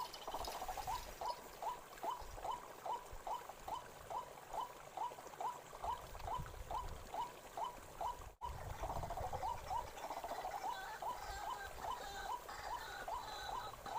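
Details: White-breasted waterhen calling in a forest: a long, steady series of short rising notes, about two to three per second, continuing without pause over soft background noise and a faint low rumble.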